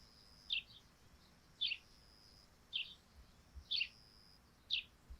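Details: On a thatched roof wet with morning dew, a sparrow gives five crisp chirps roughly a second apart; a faint high steady whine lingers underneath.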